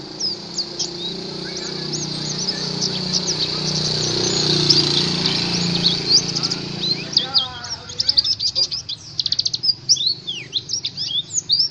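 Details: Oriental white-eye twittering meant to prompt caged birds to sing: faint high chips half-buried in broad rushing noise for several seconds, then clearer quick buzzy trills and slurred twitters once the noise drops.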